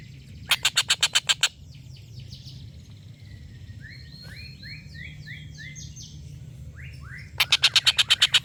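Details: Collared kingfisher, locally called tengkek buto, giving a long laughing call kept as a tutor for competition birds: two bursts of rapid harsh kek notes at start and end, with another bird's downslurred whistles between, over low background hum.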